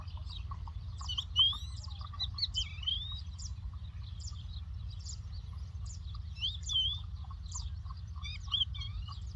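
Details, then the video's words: Lark singing in the Doukkala countryside: a continuous, fast, jumbled warble of high twittering and trilled notes with short whistled slurs, run together without pause, over a steady low rumble. "The Lark Tweets صوت الطبيعة: تغريد القبرة"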